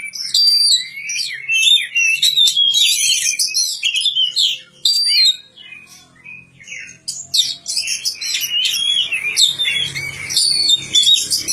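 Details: Magpie-robin cared for in a village, singing a long rich run of high whistled notes, trills and chirps, briefly pausing midway and then resuming more softly over low background noise.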